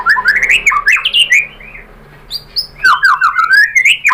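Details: Song of the white-rumped shama played as a provocation lure: tumbling, varied warbled phrases with rising and falling whistles, a brief pause, then another rapid, jumbled whistled burst.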